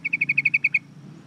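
A Yellow-vented Bulbul gives a quick burst of about nine bright, sharp chirps at roughly ten per second, then stops, leaving a low background hum.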